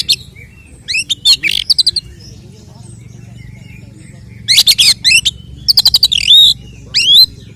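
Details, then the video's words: Oriental magpie-robin fighting song meant to provoke rival males: bursts of rapid harsh chattering notes broken by a long pause, then loud buzzy phrases closing with clear whistled slurs. "Kacer gacor 🔥TARUNG KONSLET nembak BUKA EKOR pancingan efektif UNTUK mendongkrak EMOSI burung KACER"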